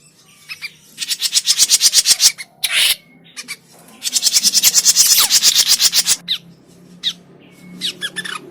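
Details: Grey-cheeked bulbul calls used as a trapping lure: two long bursts of rapid, harsh, buzzy rasping notes, about three per second, with thin high whistles and short chips between them.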